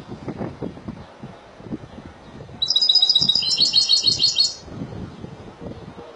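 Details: Spanish goldfinch delivering one Malaga-style phrase: a fast, pulsed, high-pitched twittering trill lasting about two seconds, set against low murmuring background noise.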